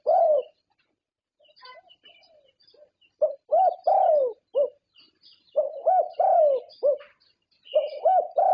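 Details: Zebra dove that has won contests in Thailand, cooing in long runs of rapid bubbling low notes and arched purrs, pausing briefly between bursts, with scattered high bird chirps.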